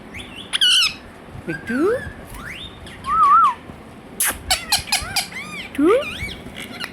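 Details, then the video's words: Talking pet Indian ringneck parakeet that says "Hello" and "Mithu Mithu": sharp squawks, rising sweeps and a wavy whistled phrase, with sudden harsh bursts and arched chirps scattered through several seconds indoors. "Indian Ringneck Parrot Says "Hello" & Mithu Mithu"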